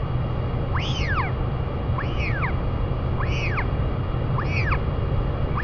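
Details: Royal albatross parents feeding their chick in New Zealand: clear rising-then-falling arched whistles, about one every 1.3 seconds, over a steady low hum.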